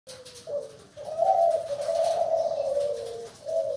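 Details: A spotted dove gives its cooing song, written as "deg kutruuuu kuuu": a low, soft cooing run rising into a long sustained hoot that trails off before another coo begins.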